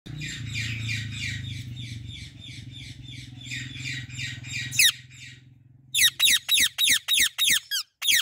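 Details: Female Indian ringneck parrot perched in a fully blooming apple tree: several seconds of soft, scratchy chattering over a low hum, then a run of about seven loud, harsh, falling screeches in quick succession.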